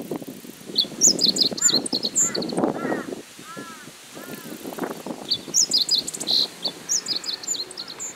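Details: Meadow bunting delivering two bright phrases of rapid high chirps and twitters, with several arched, cawing calls from another bird and low rough murmuring sounds in between.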